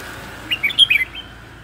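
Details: Decoy red-whiskered bulbul, aggressive and restless: one brief, clear whistled phrase of a few quick slurred notes.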